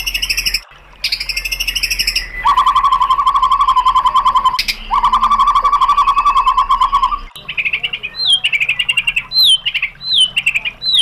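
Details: White-rumped shama training song for provoking an answer: harsh, buzzy trills at higher and lower pitch, a long fast rattle, then looping whistled notes with rising flourishes.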